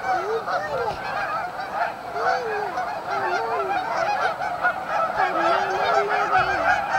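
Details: Canada geese at a staging area on Amber Trails Lake, Winnipeg: distinct nearby honks, wavering and two-toned, repeat roughly twice a second over the ceaseless honking of the wider flock.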